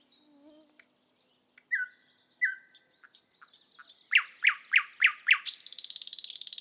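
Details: Song of a thrush nightingale from Estonia. It builds from soft whistles and sliding notes to a series of five loud, deep chock notes, then breaks into a fast, dry, churring rattle.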